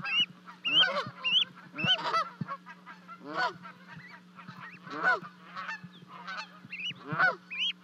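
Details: Canada geese in Charlo, Montana, 12 May 2020: two goslings jump from a 30-foot nest to reach their mother and father. Thin upslurred peeps arrive in uneven bursts among harsher, lower honks.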